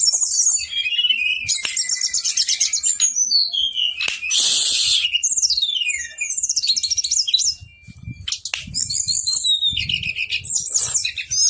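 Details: Male Brown-chested jungle flycatcher giving a long rolling song: harsh, buzzy bursts and a loud hissing rasp mixed with series of falling whistles and high trills, becoming quieter and more broken toward the end.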